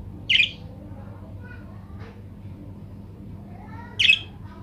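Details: Budgerigar (parakeet) recording used to provoke other budgies into answering and calling loudly: two short, harsh, high-pitched squawks about four seconds apart, with faint chatter and a low hum between them.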